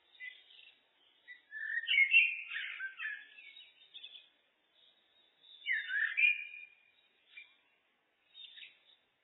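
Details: Looped Common blackbird (Turdus merula) song: two long warbled, fluty phrases about four seconds apart, each closing in a quieter twitter, with brief soft notes between them.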